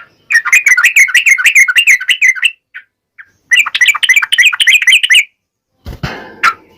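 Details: Two long bursts of quick, bubbly, slurred chatter from a yellow-vented bulbul singing in the wild 'ngalas' style, used to draw replies from other birds; a few single notes between and a dull knock near the end.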